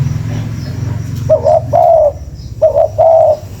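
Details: Spotted dove calling, a recording used as a lure: two three-part cooing phrases, each two short soft coos then a longer throaty coo, over a low rumbling background.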